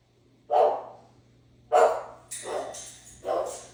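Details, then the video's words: Pet parrot imitating a dog's bark: four short, harsh bark-like bursts about a second apart, the later ones rougher and noisier, with a low steady hum underneath. "Barking birdie! Can your parrot bark?"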